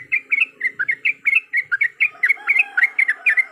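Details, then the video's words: Lure call meant to trigger a yellow-vented bulbul into fighting song: bright, bubbly two-part notes delivered several per second in an uneven, excited rhythm, with a faint low background drone. "PANCINGAN BIKIN TRUCUKAN LANGSUNG BUNYI IKUT TARUNG GACOR"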